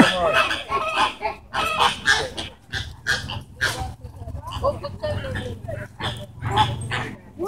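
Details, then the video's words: At the Vancouver Zoo, captive flamingos in a fight give raspy, honking calls in uneven bursts, several birds overlapping, with low background rumble and human voices. "Flamingo Fight"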